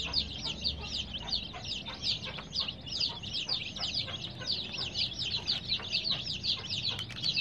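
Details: Group of colored chicks chirping nonstop, with bright, high, slurred peeps tumbling over one another at a fast, steady pace.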